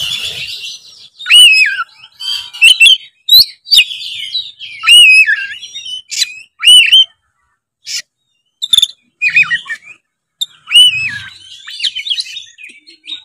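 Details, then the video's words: White-rumped shama singing in competition form, a long run of loud looping whistles, swooping slurs, harsh bursts and rapid chips, broken by a couple of brief silences. "suara kacer gacor full narung"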